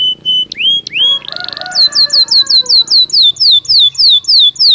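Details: Belgian canary in song: varied whistled slurs and a short buzzy burst, followed by a steady run of loud descending whistles repeated about three per second.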